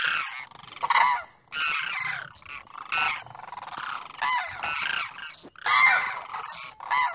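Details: A pair of demoiselle cranes, the male calling to the female, the two birds on opposite sides; loud harsh rolling trumpeting bursts, overlapping and repeated in uneven phrases with short pauses.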